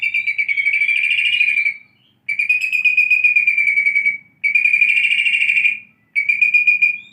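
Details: White-rumped shama after tail regrowth, learning canary sounds: four long rolling trills of rapid, buzzy repeated notes, each lasting about two seconds, separated by short silent pauses.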